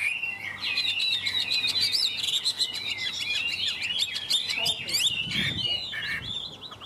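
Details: Chinese hwamei singing a dense run of warbled, looping high whistles, steady and unbroken, with a faint low background hum.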